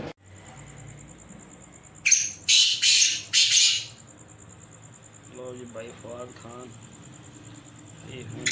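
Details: Several black francolins (kala teetar) calling: a quick burst of four harsh, grating, noisy notes within two seconds, then quieter harmonic chattering sounds and faint background hum.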